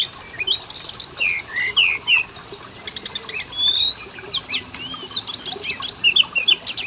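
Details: Oriental magpie-robin lure song to prompt males and females to sing: varied sweet whistles, swooping slurs and sharp rattling trills alternating in lively phrases.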